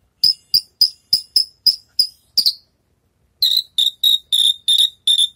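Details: Javan bush lark, recently through its moult, training its song: a rapid series of clipped, ringing chirps, then a one-second silence, and a second run of harsher, buzzier notes at a similar quick, even pace.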